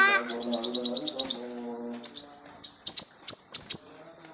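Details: Crested jay, described as singing energetically day and night, giving a fast run of about ten sharp, high chirps over a low harmonic hum, then after a short pause five louder, evenly spaced piercing high notes.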